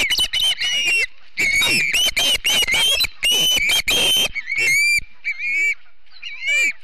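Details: Ospreys of a family at their nest in Charlo, Montana, on a September morning, 7 September 2016, filmed by a live nest camera: bursts of loud, shrill whistled chirps with rising-falling inflections, packed in rapid runs, then a few slurred, drawn-out calls.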